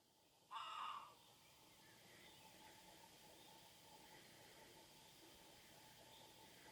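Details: Great crested grebe on the Nemunas river in Lithuania giving a single harsh, rasping call lasting about half a second, rich in harmonics, followed by steady background hiss of open countryside.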